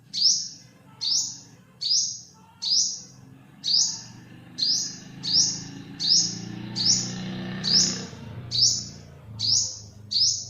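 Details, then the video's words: Repeated piercing, downslurred calls of an olive-backed sunbird, also known as yellow-bellied sunbird, about thirteen notes in ten seconds, over a low rumbling background that swells midway. "เสียงนกกินปลีอกเหลือง Olive-backed sunbird, Yellow-bellied sunbird"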